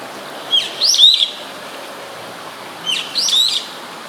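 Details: Brown-eared bulbul calling close by in Sumida, Tokyo, on 21 May 2017, via a camera's built-in microphone; two loud, harsh, high squealing phrases, each a brief rising note then a wavering screech, separated by roughly two seconds of quiet.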